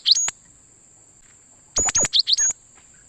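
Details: Cinereous tit calls used as a lure to attract and trap wild birds: a quick high chirp, then after a pause a rapid cluster of four sharp, high notes, over a steady thin high-pitched tone.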